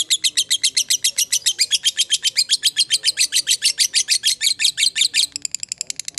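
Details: Fighter-type lovebird in a long 'ngekek' chattering bout meant to lure other lovebirds into replying: rapid, even train of shrill clipped notes for about five seconds, then softer, thinner notes to close.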